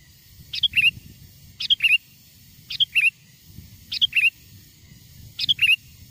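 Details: Lively Sooty-headed bulbul song meant to lure wild birds nearer: five brisk chirpy phrases, each a sharp note then a pair of rolling whistles, coming roughly once a second above a soft low hum.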